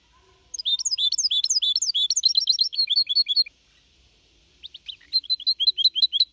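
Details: Young goldfinch hybrid (mixto) aged four and a half months, recorded in 2021 singing Copia Málaga style to motivate other birds; quick high twittering burst of repeated notes, a pause of about a second, then another run of sharp chirps.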